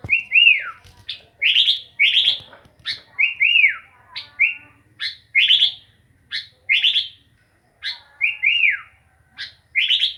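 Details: Lively sooty-headed bulbul song: steady series of loud chirps and descending slurred whistles, roughly every half second to second, with faint low rumble beneath.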